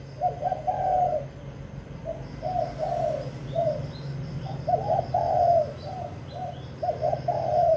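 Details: Spotted dove in Vĩnh Long singing kích bổi to provoke wild doves: short separated coo notes, then a louder rolling series, over a steady low hum.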